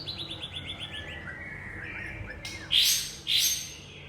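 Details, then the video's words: Wild young white-rumped shama from the forest: a soft fast trill of descending notes, then two loud rasping bursts a half second apart. "Murai aceh Muda Hutan"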